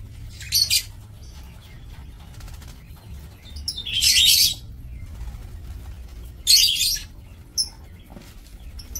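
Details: Breeding-aviary lovebirds, October 2024: three short, harsh high-pitched screechy bursts spaced a couple of seconds apart, with a few thin chirps in between over quiet background.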